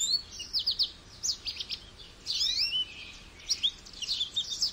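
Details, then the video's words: Continuous bright twittering from a goldfinch, clusters of sharp chirps alternating with fluid, sliding notes and buzzy trills, all high-pitched with little pause between phrases. "Goldfinch Bird Sounds"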